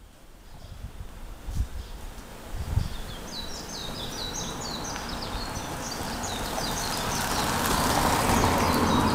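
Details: A warbling white-eye (Zosterops japonicus) sings a fast, high, twittering warble from an exposed power line at Hyakumura, Inagi, on 7 June 2015, over rumbling traffic and hissing wind.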